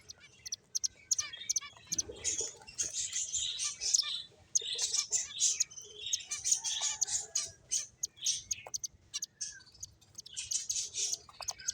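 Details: Finches at play twitter with sharp, high chirps and clicks in irregular clusters, rising to dense bursts of chatter and then thinning to scattered single notes.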